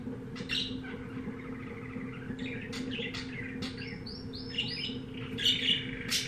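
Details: Caged canary of unknown type, bought at a pet shop, singing: scattered sharp chirps building into whistled, looping phrases and quick rising notes near the end, with a constant low hum underneath.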